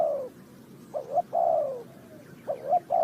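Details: Spotted dove recorded during bird trapping in Ninh Thuận: loud mellow coos with two quick notes, then a long falling coo, repeated roughly every one and a half seconds.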